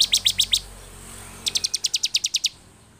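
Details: Agitated bar-winged prinia song meant to provoke other prinias: a short burst of five sharp high clicks, a pause, then a faster even series of about twelve ticking notes.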